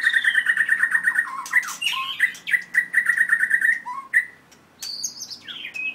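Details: Captive white-rumped shama from Merapoh, Pahang, four years old, very aggressive, with a 7.6-inch tail. It gives a fast run of identical clear piping notes, a short break and another rapid series, then higher twisting whistled phrases.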